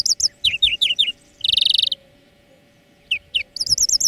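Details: European greenfinch tutor song for training birds: a run of quick downslurred twitters, a dense buzzing trill, a short silence, then sharp notes and a wavering high twitter, all over a faint constant hum.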